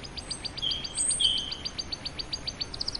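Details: Singing canary: a steady rolling trill of high repeated notes with overlaid thin whistled tones, ending in a quick burst of faster, tightly packed notes.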